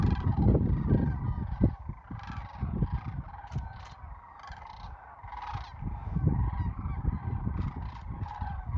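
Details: Sandhill cranes gathered south of Wood River, Nebraska, during the 2024 spring migration. A dense flock chorus of rolling, trumpeting calls overlaps continuously, with heavy low rumbling throughout.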